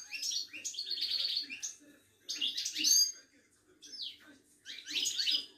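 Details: Moroccan ouidani European goldfinch at a Casablanca bird market. The song is almost continuous: tinkling, buzzy twitters and bright slurred notes come in three rich phrases with short pauses between them.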